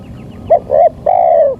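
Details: Local spotted dove lure call: faint high chirps, then a short coo, a medium coo and a long, smooth, gently falling hollow coo.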